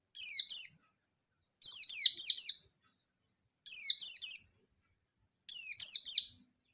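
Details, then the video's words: Emotional, challenging song of a local yellow-bellied Oriental white-eye used to lure other white-eyes; four bursts of two or three high, falling, slurred notes, repeated roughly every two seconds. "Pleci Ngalas Nembak Memanggil Lawan || Suara Burung Pleci Gacor Ngalas Nembak emosi"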